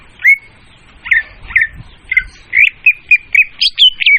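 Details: Clear, loud leafbird lure song for trapping: spaced whistled notes with short downward slurs, quickening into evenly repeated chirps and ending in higher rising-falling whistles.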